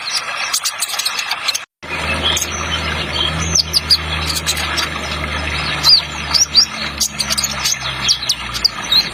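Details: Trotol-type sunbird, a kept bird used as a lure to spur young birds to sing, with added water sound: short thin high chirps and sweeping twitters scattered over a steady rushing-water hiss, after a brief silent gap near the start.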